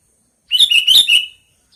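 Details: Sooty-headed bulbul delivering one brisk phrase of four bubbly, rolling notes in under a second, loud and clean with nothing else audible.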